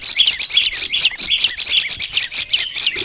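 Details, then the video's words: A kept Olive-backed Tailorbird sings a rapid, continuous run of sharp, high chirps and short trills, about two or three notes a second, with no other sounds. "Melatih suara burung prenjak lumut biar gacor"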